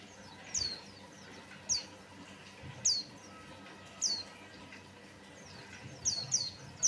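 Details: Lure recording of a white-eye: sharp, high-pitched downslurred chirps spaced about a second apart, with a quick cluster of three near the end and a soft low background murmur.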